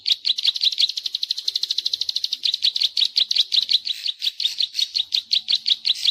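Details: Bar-winged prinia "klik klik" call played to lure wild birds: rapid, dry, high-pitched clicks delivered in a long, unbroken series, with slight breaks and small shifts in pace.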